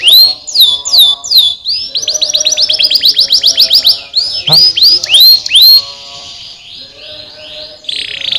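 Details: Canary singing, played to encourage lazy canaries to sing: rapid repeated upward-swooping whistles, a quick run of sharp clicky trill notes, then more swooping phrases and a softer closing roll.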